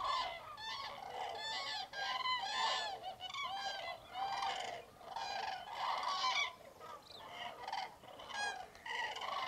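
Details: Roosting common cranes by the hundred stir as light grows on an icy, misty January morning in Tablas de Daimiel, Spain. Continuous ringing, trumpet-like calls stack up in waves, dipping briefly every couple of seconds before resuming.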